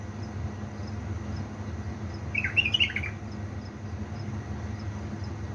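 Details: Pet bulbul of Diyala stock, Balad Ruz, Iraq, at three in the morning, giving a single quick warbling phrase of several bright, slurred notes mid-clip against a continuous low droning background.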